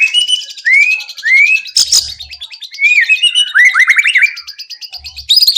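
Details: White-rumped shama song played to prompt other birds to sing, with rising whistled slurs repeated, a sharp click, then a rapid descending trill and buzzy high rattling notes.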